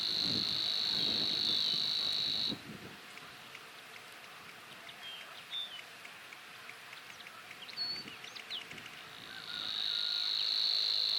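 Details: Savi's warbler (Locustella luscinioides) song: a fast, dry, insect-like buzzing reel on one steady high pitch in two long bursts, with faint chirps of other birds between them.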